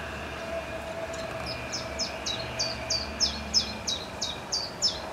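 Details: Restless common chiffchaff in a false acacia by a pond, alternating preening and singing, sings a steady run of high, clipped notes, about three a second, alternating slightly in pitch, over a low hum of distant traffic.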